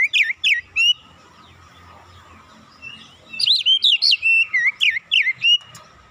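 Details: Training-lure song of an oriental magpie-robin blended with cinereous tit phrases. A short run of three bright whistles is followed by a pause, then a longer string of about ten quick, swooping whistled notes.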